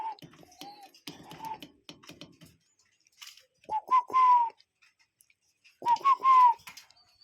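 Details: Cuckoo calling in nature, a real bird: two clear whistled phrases about two seconds apart, each a short note then a longer, slightly falling tone, with soft clicks and rustling between calls.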